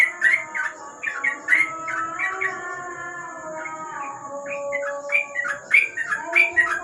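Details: Night ropel singing by a sooty-headed bulbul below a lamp: quick clusters of chirpy whistles, a short lull mid-way with soft tonal background sound, then renewed brisk bursts of bright notes.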